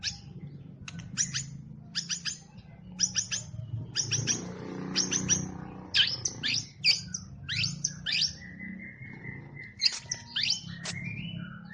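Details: Champion competition white-rumped shama in a compilation of its song bursts: rapid sharp chips and clicks in tight clusters, then sweeping whistled phrases and a long steady whistle near the end, over low rumbling background.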